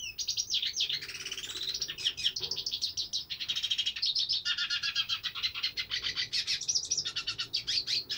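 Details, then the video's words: Cabecita negra, the hooded siskin, singing a long, rapid, high twittering song of chirps, short trills and buzzy slurred notes. "cabecita negra cantando"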